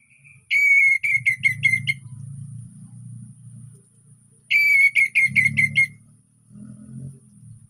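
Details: Relaxed orange-headed thrush song meant to draw quiet birds into singing: two bright bursts of quick, ringing whistled notes four seconds apart, over a continuous low rumbling hum.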